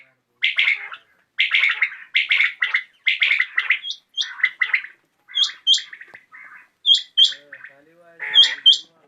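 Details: Common quail calling in the evening: sharp three-note bursts repeated in quick succession for several seconds, followed by scattered softer notes and thin high chirps.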